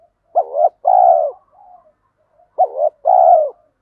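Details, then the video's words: Spotted dove coos from male and female birds calling to stimulate training birds: two phrases, each a short wavering note then a long steady hollow coo, separated by a soft faint murmur. "Chim cu đất thúc gù"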